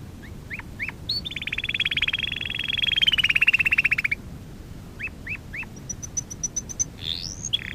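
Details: Canary song for training: a few short upslurred chips, then a long steady pulsed rolling trill lasting about three seconds, more chips, and a high rapid tick series.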